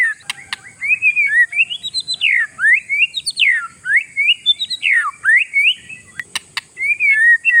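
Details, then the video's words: Oriental magpie-robin delivering a long varied song to make rival birds panic: rolling whistled phrases climbing and dropping in steady succession, with a few sharp clicks at the start and near the end. "GACOR 100%; SUARA INI BIKIN BURUNG LAWAN KELABAKAN"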